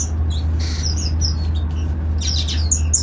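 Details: Short high whistles and chirps from golden finches in a colony breeding aviary, with a brief harsher squawky note, over an ever-present low hum.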